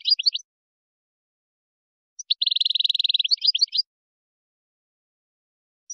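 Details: Moroccan wiydani song of a European goldfinch, used to teach chicks and hybrids: a brief twitter, then one phrase of a rapid rolling trill ending in jumbled high chirps, with clean silence between.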